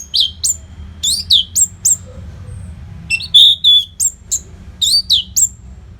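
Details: Orange-headed thrush, recorded as nonstop training song for contest birds, repeats quick high swooping notes about three times a second in loose clusters, bright and ringing, with faint low background noise.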